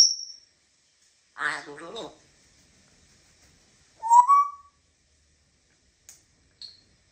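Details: African grey parrot indoors in a small room giving a brief high whistle, a short burst of rough speech-like chatter, then a rising whistled note and a few faint high chirps with silent gaps.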